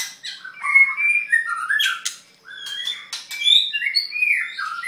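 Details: White-rumped shama halfway through its molt, singing a varied run of clear whistled phrases swooping between mid and high pitches, interspersed with sharp harsh clicks and short buzzy notes.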